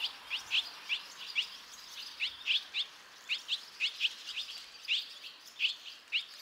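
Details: Barn swallow chicks, five nestlings that all fledged within two and a half minutes, prompted by earlier fledglings from other nests; short sharp chirps repeated irregularly, several per second at times, over steady background hiss.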